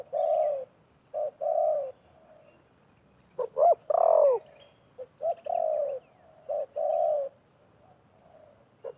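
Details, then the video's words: Decoy and wild spotted doves calling against each other while trapping with snares set in a half circle. Repeated low coo phrases, each a short note then a longer one, with a burst of overlapping slurred coos midway. "TERKUKUR LIAR DAN PIKAT BERADU/BERLAGA HEBAT"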